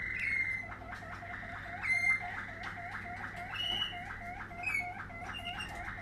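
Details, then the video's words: Waterslager canary, 2020 line, in song: a long series of rapid rolling, water-like notes repeated about every half second, broken by short high piping whistles. "Waterslager 2020 stam"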